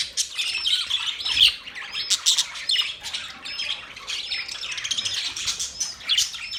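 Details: Budgerigars in a flock chatter continuously, with dense, scratchy high-pitched chirps and warbles overlapping. Short upward-sweeping whistles rise above the constant twittering.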